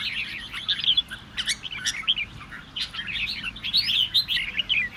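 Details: Red-whiskered bulbul song meant to spur other birds to sing, with lively twittering phrases and quick rising and falling notes in short clusters, broken by brief pauses.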